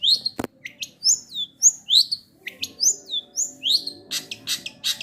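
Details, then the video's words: Long-tailed shrike (cendet) singing a mimicry song of learned imitations, including sparrow and kingfisher material: rapid series of sharp, downslurred high whistles repeated about every third of a second, with brief harsh bursts near the end over a low steady hum. "CENDET MATERI GEREJA TARUNG GEREJA PETIR KUNTILANAK GETAR RESTU TENGKEK BUTO"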